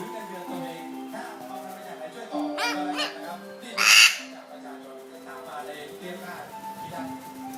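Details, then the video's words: Severe (chestnut) macaw being tested for how loud it is: two harsh, raspy squawks, the second loudest and broadest, over a man talking and steady background tones. "Chestnut Macaw ทดสอบว่าเสียงดังหรือไม่?"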